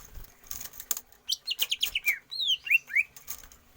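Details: Greater green leafbird singing during stamina training without free-flight exercise: a quick stuttering cluster of high slurred notes, then a longer descending whistle and several downward-slurred chirps.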